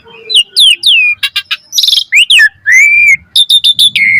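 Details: Asian pied starling in lively full song, meant as a training recording for other starlings: varied loud whistles sliding down, buzzy harsh bursts and a long level whistle, notes following quickly with short gaps.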